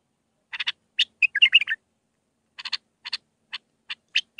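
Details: Mandalawi-style bulbul song in six phrases for training young birds: clicking notes running into a quick liquid warble, then a pause and a spaced series of sharp clicks.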